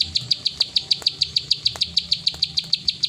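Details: Plain prinia giving 'klik ngacor' song, a short burst of loud, piercing high clicks spaced about a sixth of a second apart, with quiet low background noise.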